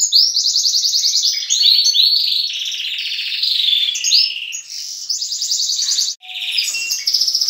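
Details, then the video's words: Dawn chorus of captive canaries, youngsters mixing with adults: dense overlapping high trills, rattling rolls and sharp chirped notes changing pitch every second or so, with a brief pause near the end. "Baderna bagunça de canto estimular filhotes"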